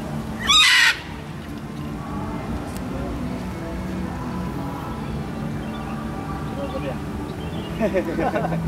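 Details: A blue-and-gold macaw at Mosai Eco Park, Ancol, Jakarta, Indonesia, on 23 February 2014, gives one loud, harsh, raucous squawk lasting about half a second, followed by low background hum and faint human voices.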